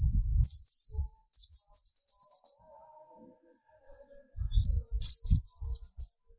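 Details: Young speckled sunbird song used to provoke singing: a short high trill, then a long rapid series of sharp piercing notes, silence, and another fast high trill, with soft low thuds.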